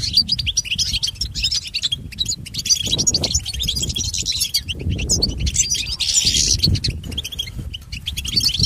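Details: European goldfinch song used to train pet birds: an unbroken stream of high chirps, trills and buzzy notes, backed by a steady low-frequency hum.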